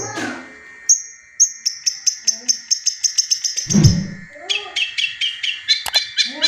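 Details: Long-tailed shrike speeding from spaced high notes into a fast rattling series, then lower buzzy chirps. A brief low thump sounds near four seconds. Meant to encourage caged birds that have gone quiet.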